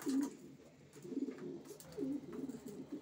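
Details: Racing pigeons cooing close by, low throaty bubbling coos in looping rise-and-fall phrases, several overlapping in a continuous soft murmur.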